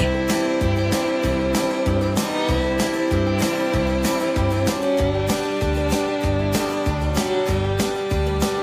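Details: Upbeat country-style guitar music with a steady beat.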